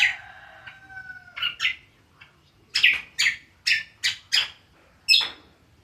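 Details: Greater green leafbird, locally cucak kombo, in ngriwik style: long level whistled tones open, then harsh, buzzy chirps repeated about twice a second, with short gaps between notes.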